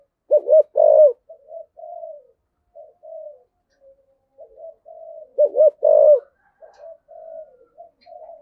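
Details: Luring call of a spotted dove in the "giọng thổ" voice style: two bursts of rapid doubled hoots, each capped by a loud coo, with long stretches of soft low murmuring between.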